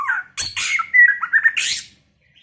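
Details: First-season white-rumped shama song: a short warble, then a loud harsh burst followed by clear whistled notes that slide and waver, closing on a rasping, buzzy flourish; close, clean recording.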